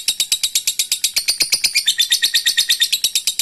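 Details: A lovebird's extended ngekek trill, played to get other birds singing. Steady, loud rattling chatter of sharp, evenly spaced pulses, about seven per second, running unbroken throughout.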